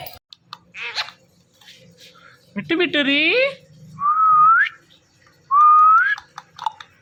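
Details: Ringneck parrot that likes to watch a phone and talk to it: soft noises, a nasal mimicked word, then two rising whistles over low background hum.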